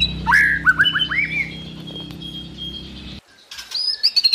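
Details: White-rumped shama singing a varied phrase of rising and falling whistled notes, a quick series of upslurred chirps then sustained high tones, a short pause, and bright repeated whistles; low hum underneath.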